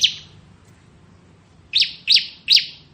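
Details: Bar-winged prinia, locally ciblek, of the kristal type, in ngebren song: one sharp high note, a pause, then three quick rising chirps in a row, over a faint low hum.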